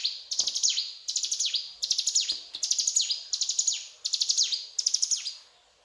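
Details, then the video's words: Singing mountain tailorbird delivering a steady chain of high, rattling chirp phrases, every one dropping into a swooping whistle, spaced under a second apart. "Burung Ciblek Gunung Gacor Cetrakan"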